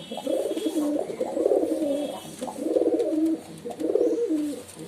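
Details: Low bubbling pigeon coos in three drawn-out phrases, each about a second long with a soft rolling pulse, separated by short pauses.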